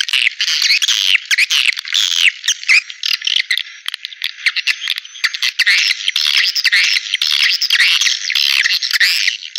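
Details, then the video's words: Dense swiftlet chorus for luring birds into bird houses: overlapping rasping twitters, downslurred chirps and clicks run without a break, steady and loud from start to finish. "Suara Walet Panggilan Ampuh"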